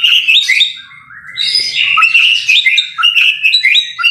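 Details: White-rumped shama singing energetically in a tutor recording: rapid varied whistled phrases, sweet rising and falling notes mixed with harsher chattering bursts, one short quieter pause near the middle, with faint low rumble beneath.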